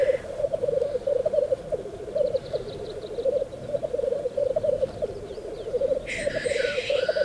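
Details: Black grouse at a courtship lek, with females arriving while still dark, give a steady, low, bubbling rookoo that warbles without pause; near the end a sharp, hissing sneeze, with faint higher notes behind.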